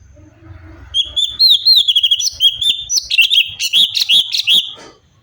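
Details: Cucak cungkok bulbul in full, varied song used for tutoring songbirds: a rapid string of clear looping whistles that climbs into a dense run of chirpy, warbling notes before stopping abruptly.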